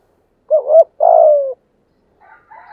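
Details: Spotted dove singing in the 'thổ' voice style to lure wild doves in to fight. Two loud, low, hollow coos: a short doubled note, then a longer falling one, followed by faint softer murmurs.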